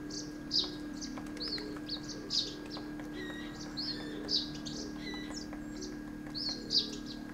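Himalayan Woodpecker giving sharp, high single 'kik' notes roughly every two seconds, with other small birds twittering around it and a low steady hum underneath.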